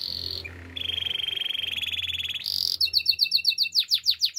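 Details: Canary song for training: a lower rolling trill held for nearly two seconds, a higher note, then quick repeated high chirps and descending sweeps.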